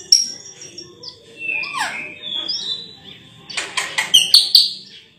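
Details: Sulawesi myna with a very sweet voice: soft sliding whistles and drawn-out tones, then a quick burst of harsh chattering notes and bright chirps. A thin high steady tone lies underneath.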